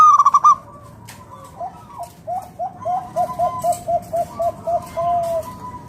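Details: Local wild-type zebra dove singing to draw other doves into song: one quick burst of staccato coos, then a long series of short, soft, slightly falling notes at a steady quick pace.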